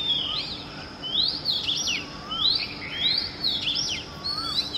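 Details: Oriental magpie-robin at dawn: rich, bright whistled phrases with fast upward and downward slides, answered by a softer, lower, rising whistle from another bird about every second and a half.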